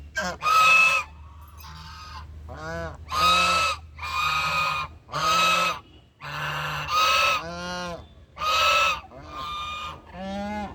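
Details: Duck giving loud, nasal, honking calls in separate bursts of about a second each. There are roughly eight calls over ten seconds, with short pauses between them and a faint low hum underneath.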